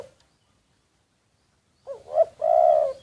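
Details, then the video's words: Decoy spotted dove recorded covertly, giving one call near the end: a short wavering note, a brief sharp coo, then a long level drawn-out coo. "แอบอัดเสียงนกเขาใหญ่ นกต่อ"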